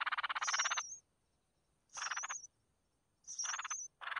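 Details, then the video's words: Red-whiskered bulbul chicks begging as their mother feeds them: three harsh, buzzy rasping bursts about a second apart, each topped by thin high whistled notes. "Chim chào mào mẹ mồi cho con cực hay"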